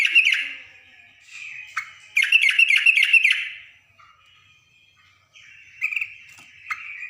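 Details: Yellow-vented bulbul, a female calling to a male, giving a fast stream of bubbly, gurgling chirps in a burst lasting about two seconds, then fainter scattered notes after a pause.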